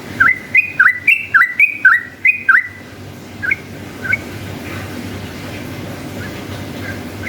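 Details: Yellow-vented bulbul in long rapid ropel-style song, played as a lure to provoke rival bulbuls to answer: about nine loud whistled notes, each dipping then rising sharply, in quick succession, followed by two faint notes over steady low hum.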